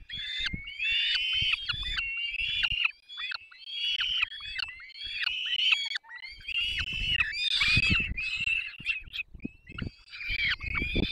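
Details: Peregrine falcon nestlings being fed by the adult pair, Barycz Valley, 3 May 2024: a continuous stream of strident wailing cries, one call after another, with nest scraping and thumps.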